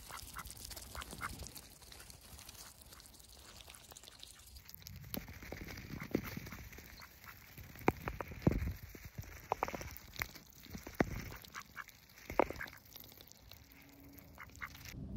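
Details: Close-range ducks busy with daily routines on a heavily overcast day; a quiet start gives way to a burst of repeated sharp quacks from about six seconds onward, over a constant low background hum.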